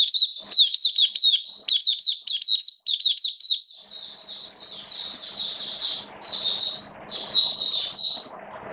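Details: A hobby-kept Oriental white-eye in wet rainy weather, 29 September 2022, pours out a fast high twittering run, then slower, fuller rounded chirps over a faint low hum.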